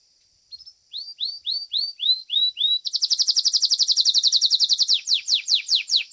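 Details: Competition song of a Belgian canary: about seven evenly spaced hooked notes sweeping down in pitch, then a fast rattling trill of many pulses, closing with quick steep descending slurs.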